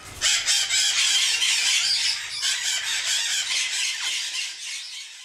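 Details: Captive-bred juvenile Congo African grey parrots (Psittacus e. erithacus) from the 2009–2010 breeding season at a breeding centre give a busy stream of harsh, raspy squawks and chatter, about four a second, with a person speaking softly nearby.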